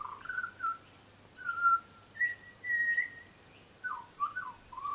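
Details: Garden-visiting young butcherbird gives smooth whistled notes in pairs and trios, some level, some warbled, with short gaps between phrases.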